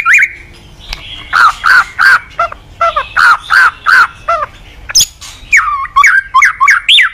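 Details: Morning lure song of a caged white-rumped shama for training cage birds: about eight evenly spaced downslurred notes, roughly three a second, followed by fast varied whistled phrases.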